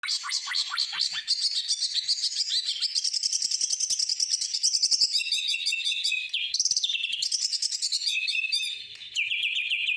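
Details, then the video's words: Greater green leafbird singing with mimicked phrases of other birds and a sewing-machine-like rattle: rapid dense trills, high buzzy chatter and fast repeated notes running almost without pause. "Cucak hijau isian katem,mesin jahit"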